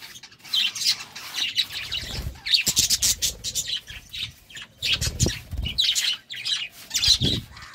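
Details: Budgerigars during courtship, a love time for the birds: dense, scratchy chirping and warbling chatter in short bursts, with soft low thumps and rustles between phrases.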